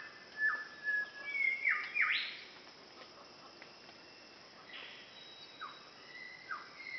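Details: Umbrella cockatoo (Cacatua alba) starting the day in Halmahera tropical forest, North Maluku, gives harsh, rasping screeches in a quick two-second burst, then a few fainter, more distant screeches over a steady forest hiss.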